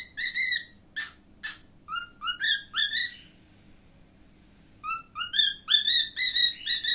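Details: Pet cockatiel giving clear whistled notes, some flat and some rising in two-step slurs, interrupted by a few short harsh rasps, then a quicker run of whistles at the end.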